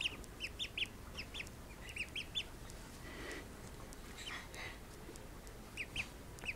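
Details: Baby call ducks after waking from nap time: a busy run of rapid high-pitched peeps, several ducklings calling close together, with brief pauses and light rustling between bursts.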